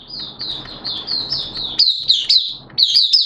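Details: Hobbyist's Oriental white-eye in opening song (buka), 11 September 2022, wet erratic weather; a softer series of high slurred notes builds into sharper, louder chirps, over low background noise.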